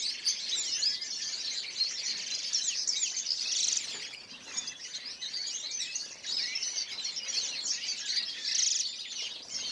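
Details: Group of European goldfinches, 2014, giving a rapid, jumbled twittering chorus of high chirps and liquid trills, swelling and easing slightly, with a few sharper bright notes standing out.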